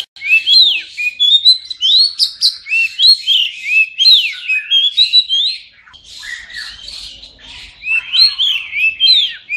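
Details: Oriental magpie-robin singing, used to prompt silent birds after moulting: a fast, varied stream of clear, rising and falling whistles and chirps, packed tightly, briefly softer midway, then bursting back.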